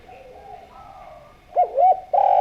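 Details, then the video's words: Javanese spotted dove in full, vigorous voice, kept as a lure to draw other doves into calling; after a quiet start, two short looping coos come in quick succession, then a loud drawn-out coo begins at the end. "Derkuku Jawa Gacor Suara Merdu, Ampuh Buat Pancingan"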